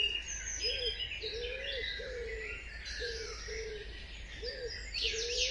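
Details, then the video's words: Birds in an early morning dawn chorus: a low, soft hooting note rises and falls about once a second beneath a busy layer of high, thin chirps, whistles and trills from several other birds. "Birds Chirping - Dawn Chorus | Relaxing sounds of birds chirping early in the morning"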